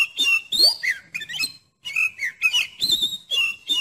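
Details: Oriental magpie-robin song, used to test another magpie-robin's nerve: loud, varied whistled and chattering phrases with quick rising and falling notes. A brief pause comes midway, and no other sounds are clear.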